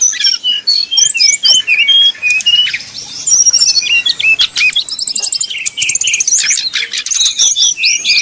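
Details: Sumatran red-crowned leafbird fighting song as heard at a song contest: continuous fast medley of sharp chirps, slurred whistles and rattling trills, high and bright, delivered in choppy repeated phrases.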